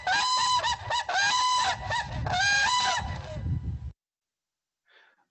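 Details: A pair of Whooping Cranes sings its duet 'love song', sung together in the marshes when they wake in the early morning: loud, bugling ringing notes for about four seconds, one voice slightly deeper, then silence.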